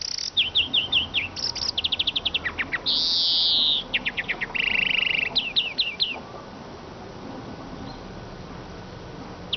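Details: Eurasian siskin pouring out quick chattering notes and fast trills, broken by two strained wheezy buzzes, before the song stops and only faint hiss remains for the last few seconds.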